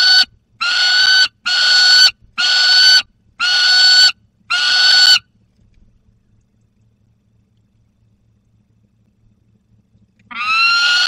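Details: Peregrine falcons in the Barycz Valley on 30 August 2022, the young bird with prey: five rough, wailing calls in a quick series, a long pause with a faint low hum, then one more screech.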